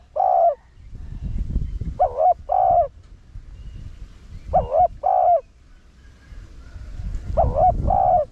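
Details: Rặc Đồng-voiced Spotted dove cooing to bring in wild doves: four paired coos, each a trembling note then a flat longer one, evenly repeated, over low rumbling noise.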